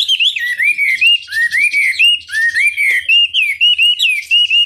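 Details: Chinese hwamei delivering a provocation song for other birds: loud, pure whistled notes that swoop up and down in quick looping phrases, repeated steadily several times a second with clean pauses.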